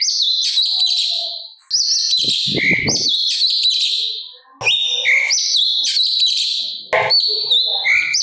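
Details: Sooty-capped babbler singing actively, with rough, harsh filler phrases, used as a master recording for training cage birds such as magpie-robins to copy. Dense, rapid, high-pitched chattering and whistles in three bursts separated by short pauses, with a brief low rustle.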